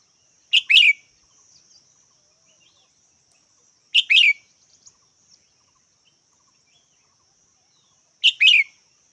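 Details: A red-whiskered bulbul repeats a short, bright two-part chirp three times, about every four seconds, with a faint high drone and a few soft ticks between calls.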